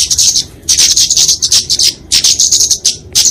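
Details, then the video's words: Short bursts of very high, rapid twittering and ticking, each under a second, separated by gaps: the fighting song of a flowerpecker (kemade), used for training and luring songbirds. "Kicauan Kemade Tarung"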